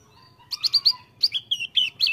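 A Javan grey-throated white-eye sings a quick run of about eight bright, high chirping notes over under two seconds, some sliding downward, with a faint steady tone beneath.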